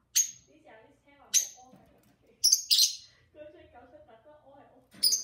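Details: Pair of pet lovebirds chattering and singing indoors: loud piercing chirps come in scattered bursts over quieter low warbling, with a person's voice faintly mixed in.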